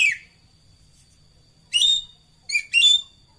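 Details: Racket-tailed treepie: a rasping note, a pause, then three buzzy notes with bright whistled centres in close succession, over a faint constant high-pitched whine.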